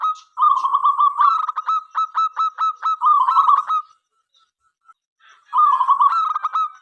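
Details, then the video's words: Local zebra dove singing actively to prompt others: a soft trill, then a long even series of sharp clipped notes, another rolling trill, a pause, and a fresh trill rising into quick notes. "perkutut lokal gacor suara MENGGODA"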